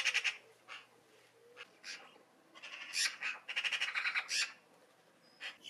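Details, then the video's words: Eurasian Magpie, a UK garden bird, giving harsh, rasping chatter: scattered dry notes, then a fast machine-gun run of rattling 'chak' calls. "Magpie (Eurasian Magpie)"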